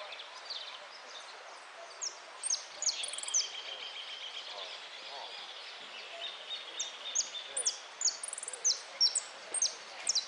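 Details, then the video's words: European goldfinch in a contest, amarillo de repique style, recorded 03 02 13: long stretch of high twittering, descending notes and buzzy trills coming in bursts, with a fainter lower warble and steady background noise. "Amarillo de Repique"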